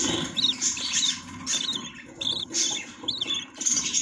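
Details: Budgerigars in a nest with chicks, chirping: short warbled notes repeated through the clip over a steady low hum.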